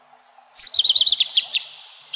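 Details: A redstart song phrase opens with a clear high whistle, then breaks into a rapid, scratchy series of varied twittering notes that wander downward toward the end.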